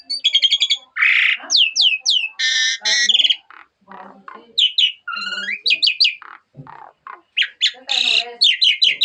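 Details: Asian pied starling song full of fill-ins, a rich, varied jalak suren medley of harsh rattling bursts, quick downslurred chips, squawky notes and low grating sounds alternating in fast succession.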